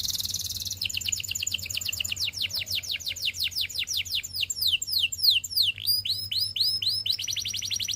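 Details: Canary song used for singing practice and training: a brief buzzy trill, then a long run of rapid downward-sweeping whistled notes, fast and varied, ending in a quick rolling trill.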